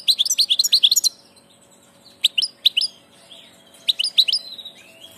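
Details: Migrating European goldfinch delivering fast tinkling twitters and chirps, a dense opening burst followed by two shorter spaced clusters of bright notes.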